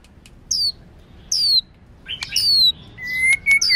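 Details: Sparse white-rumped shama notes from a training recording with a female singing to stimulate males: high, thin downslurred whistles spaced apart, plus a short level whistle near the end.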